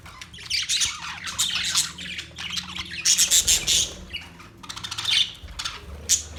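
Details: Budgerigar chirping with warbled chatter, buzzy squawks and a few clear whistled notes, delivered in uneven bursts over a faint low hum.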